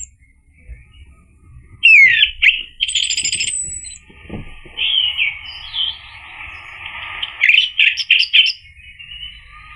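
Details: Orange-headed thrush (anis merah) song for provoking a male to sing: sharp downslurred whistle, a high buzzy trill, then scattered chirps and warbles over steady hiss.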